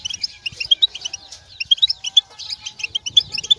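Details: European goldfinch readiness and mating calls, played to make males sing: rapid, tinkling chirps in close clusters roughly once a second, bright and slightly buzzy.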